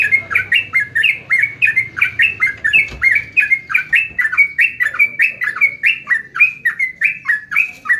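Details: Continuous chattering song of a sooty-headed bulbul: dense, bouncy whistled notes, each a short slur, rattled off without break for eight seconds against a quiet background.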